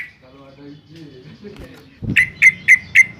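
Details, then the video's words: Yellow-vented bulbul from Semarang, Central Java, used as a lure recording to make other bulbuls sing: a loud run of clear, identical whistled notes, about four a second, after a quiet stretch of faint murmuring. "suara trucukan gacor garuda NGEPLONG"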